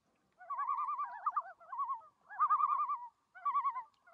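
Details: Loons in Algonquin Park, Canada, give three quavering, laughing bursts, each about a second long, with a rapid warbling tremolo at mid pitch over a quiet background.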